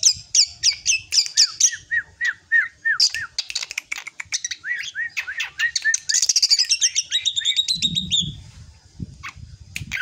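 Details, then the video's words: Drongo coming of age singing a quick run of down-slurred whistles mixed with ticks, building into a high buzzy chattering trill, with faint low rumbling noise toward the end. "Beranjak Dewasa Ini Suara Srigunting Yang Paling Unik dan Fenomenal"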